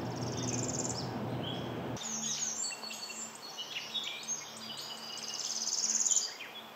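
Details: A migrant Northern Parula sings a typical song at Mount Auburn Cemetery, Cambridge, Massachusetts, in May: a fast, buzzy glissando rising to a clipped staccato finish. Other birds chirp throughout, over a low steady hum.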